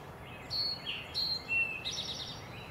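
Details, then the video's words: Eastern towhee singing a variation of its "drink your tea" song near Recway and Lindsay-Parsons, East Ithaca, on 8 May 2020: clear whistled notes at varying pitches, ending in a higher buzzy phrase, over faint outdoor background. "Variations on "Drink Your Tea" (Eastern Towhees, 2020-05)"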